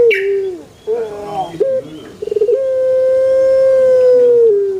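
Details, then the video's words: Male Barbary dove's song: a short rolling note and a brief stutter, then one long, steady, mellow coo held about two seconds before it slides downward at the end. "SUARA ASLI BURUNG PUTER JANTAN"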